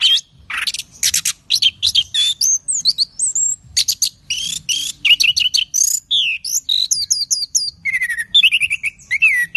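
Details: Orange-headed thrush in vigorous song: a fast, varied stream of sharp high chirps, whistled slurs and rapid trills, notes tumbling one after another with brief pauses, loud and clear against a quiet background.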